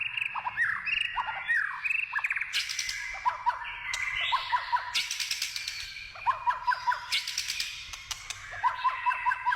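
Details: Wild white-rumped shama singing, a rich varied song of clear whistled phrases, slurred rising and falling notes mixed with rapid trills and buzzy bursts, phrases repeating every few seconds.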